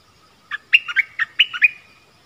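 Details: Decoy streak-eared bulbul luring wild birds, January 2021: a short run of clipped, warbling chirps in quick succession, each note dropping or rising, ending in a thin drawn-out tone, with no other sounds.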